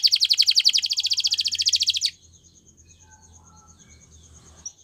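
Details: A Gloster canary sings a dense, rapid rolling trill of high repeated notes for about two seconds, which stops abruptly and leaves near silence with a faint thin tone and soft low hum.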